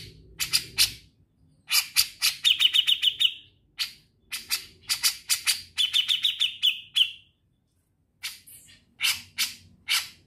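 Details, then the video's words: Grey-cheeked bulbul singing actively in the ngetril trilling style: runs of sharp, rasping notes build into two fast ringing trills, with a short pause before the final scratchy notes. "Cucak Jenggot Naga Gacor Ngetril"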